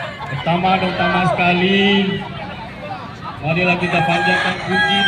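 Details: Crowing contest of Kukuak Balenggek chickens, Walikota Cup 2024 in Padang: two long, drawn-out crows with a steady tone that bends at the end, separated by a short gap, over chatter from the crowd.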